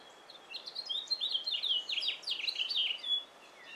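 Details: Male house finch singing in a yard, a fast jumbled warble of slurred, rising and falling notes strung together for about three seconds, with other wild birds nearby.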